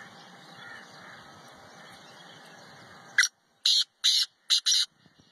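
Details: Black francolin (kala teetar) recorded in its natural habitat in Pakistan: after a quiet stretch, a burst of five loud, harsh, grating notes in quick succession with short gaps, ending abruptly.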